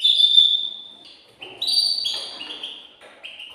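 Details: Male canary excited in its cage, singing to get the female ready to mate; a high whistled note is followed by quick stepped trills jumping between pitches.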